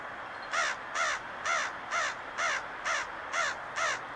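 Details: Black bird at Little Falls, Minnesota, on 13 September 2022, one of several that fly up to a truck begging for crackers, gives eight harsh, nasal, crow-like caws, about two per second in a steady series.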